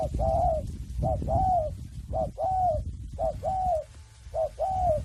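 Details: Spotted dove kept free-range, training its coo: repeated two-part phrases, a quick short coo leading into a longer, smooth, arching one, roughly once a second, over a steady low rumble of background noise.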